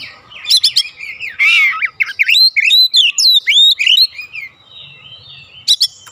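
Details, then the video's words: Vigorous 'gacor' singing from an Oriental magpie-robin, played to provoke replies from kacer kept at home: piercing chips, a raspy buzz, then repeated ringing whistled notes, ending in quieter calls and a final sharp chip burst. "AUTO RESPON NGEPLONG GACOR KACER ANDA DIRUMAH"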